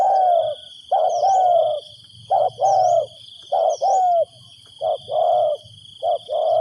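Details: Captive decoy spotted dove calling to attract wild birds: mellow coos in groups, each pairing a short note with a longer slurred croo, repeating roughly every second or two. Steady high-pitched drone in the background.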